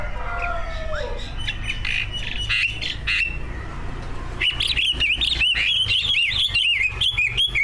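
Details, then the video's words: Caged competition greater green leafbird, one of two on the track, in full song packed with learned imitations, meant to provoke other leafbirds to sing: scattered softer notes first, then a loud, fast, twisting stream of bright warbles and chirps, low hum behind. "Kicau burung cucak ijo gacor, prestasi, full masteran. buat pancingan dijamin ikut Gacor"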